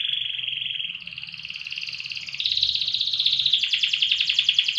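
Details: Canary of the loper type, kept for song length and volume, singing an unbroken rolling trill that climbs slowly in pitch and grows louder, over a faint low hum in the background.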